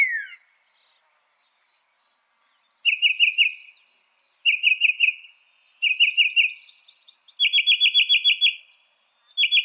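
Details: Northern mockingbird, a mimic said to learn 200 sounds, in a songbird training recording: short bursts of fast chattering trills, each repeated in bouts a second apart, with a thin steady high buzz of insects behind.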